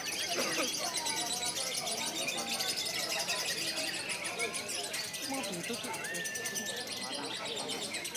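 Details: A lovebird sings a long, clear "konslet"-style run of rapid, squeaky high chatter and shrill twitters, with scarcely a pause across eight seconds.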